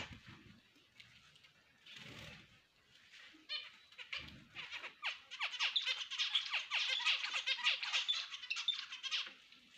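Several finches chatter together in fast, high, twittering bursts that swell into a dense, overlapping chorus. A few dull low knocks are heard near the start.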